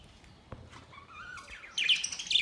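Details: Budgerigars, May 29, 2023, with breeding noted: a couple of thin rising whistled notes, then a sudden loud burst of fast scratchy chatter to the end.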